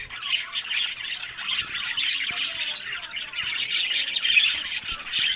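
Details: Pet budgerigars at a breeding setup in Larkana, Sindh keep up a rapid, scratchy, high-pitched chatter from many birds, swelling louder toward the end, with occasional soft clicks.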